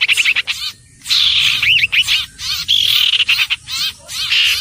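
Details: Common iora singing: short, clear whistled notes, some rising and falling in quick loops, mixed with harsh, buzzy, rasping bursts in an irregular run of phrases with brief pauses.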